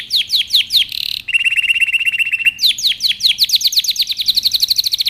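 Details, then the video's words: Training song of a canary for young birds: a few swept chirps, a short buzzy note, a low, flat rapid trill, then high falling chirps quickening into a rolling series. "Canary Singing | Melodies Canary Bird Song"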